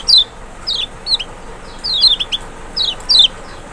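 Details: Lemon-bellied white-eye, Zosterops chloris maxi from Lombok or Sumbawa, played to provoke a silent bird into singing: sharp high notes that slide downward, given singly and in quick pairs with short gaps, over a faint steady hiss.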